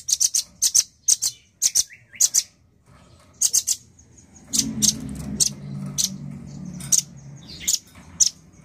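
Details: Male nuthatch in full voice, delivering clusters of sharp, high, ticking notes in quick doubles and triples, with a low murmuring rumble in the background midway.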